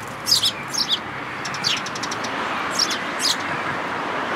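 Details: Eurasian tree sparrows at a feeding place in a plum tree at a Tenmangu shrine, 22 May 2022: bright, sharp chirps in two quick pairs, then more scattered chirps, over steady background hum.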